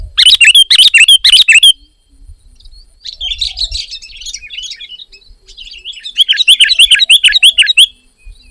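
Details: Energetic sooty-headed bulbul, described as female, gives a loud burst of rapid sharp chirps, then softer, scratchier chatter, then another strong run of quick, looping twittered notes at the close.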